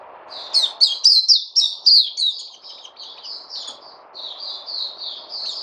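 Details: White-eye (puteh) kept in a cage and fed fruits, 29 August 2020, giving a loud burst of rapid high twittering notes that then softens into a string of slurred whistles, with a faint hum behind.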